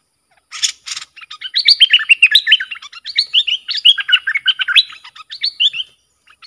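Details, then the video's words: Dok Taeng bulbul song played to train young hand-reared birds and to lure fierce wild birds. The singing is fast and rich, with clear whistled notes that rise and fall, packed into continuous warbling phrases. Two brief noisy bursts are heard near the start. "เสียงนกดอกแตงEp.122สำหรับหัดลูกป้อน/ลูกเสอ มีครบในครบในคลิปเดียว สับดอก-เบิ้ล-ริก เพลงเพราะน่าฟัง"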